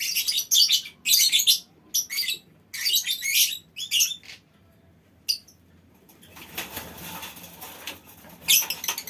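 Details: Lovebirds calling together as a colony in a mini aviary. Shrill, harsh chattering bursts come in bouts of about half a second, then a pause filled with a soft hiss. A final shrill burst follows.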